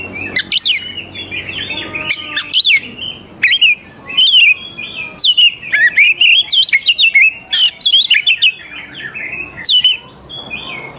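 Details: Lively oriental magpie-robin song meant to coax young wild birds to answer: long run of varied whistles, upslurs and rapid chirps, phrases tumbling almost continuously with brief gaps.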